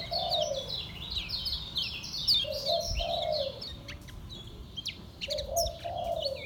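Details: Caged kecial kuning (lemon-bellied white-eye) from Lombok in a relaxed, continuous ngejos song: rapid high twittering phrases of short sliding notes, with a dove's soft low cooing repeating underneath and faint background rumble.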